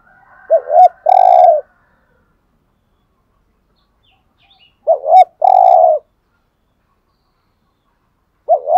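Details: Spotted dove cooing in the 'hạp' style, aimed at rousing caged males. Full phrases repeat about every four seconds, each a wobbly double note and then a drawn-out low hoot. A third phrase begins at the end.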